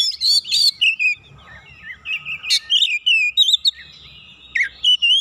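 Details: White-rumped shama, a rival bird, stirred into excited song by provocation; loud fluting whistles alternate with quick sharp notes and warbled slurs, delivered in rapid uneven bursts over faint low noise.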